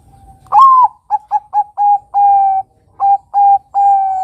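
Zebra dove giving a soft cooing song: a rising opening note, then a run of short clipped coos ending in longer, even hoots.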